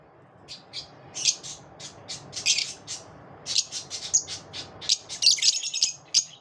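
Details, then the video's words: Lovebirds chatter after dawn in a busy stream of high, piercing chirps and short squawks, growing more crowded toward the end. "Love birds after dawn"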